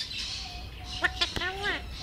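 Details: Hand-raised pet Alexandrine parakeet talking in a conversation: a few short harmonic syllables, then a clear two-part 'hello'-like phrase with falling and rising tones near the end, over faint steady background hum.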